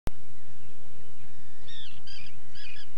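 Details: Common tern (Sterna hirundo), UK field recording, gives three short, harsh, grating calls in the second half over a steady low rumble of wind or distant noise.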